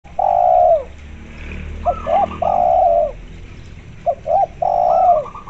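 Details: Spotted dove calling persistently, mixed with local zebra dove calls and played as a lure. Two or three short low coos lead into a long drawn-out coo, repeated. Higher, rapid trilled zebra dove phrases are heard between them.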